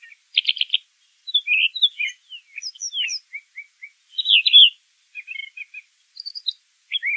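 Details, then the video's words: Brown thrasher singing, starting with a buzzy trill and moving into varied slurs, soft chips, a loud buzzy burst and high squeaky notes, with pauses between phrases. "Birds Singing - Brown Thrasher"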